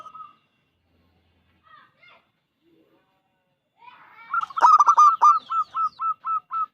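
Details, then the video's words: Lure song of a local zebra dove with a strong voice: after near silence, a dense rattle of clipped coos breaks out, then slows into evenly spaced, slurred single notes. "Perkutut lokal gacor suara besar"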